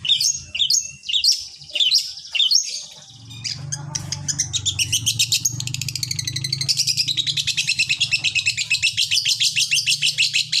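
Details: Long-tailed shrike singing as a lure to make other shrikes sing: varied high notes at first, then a long, fast, even trill of rapid chips over a low background hum.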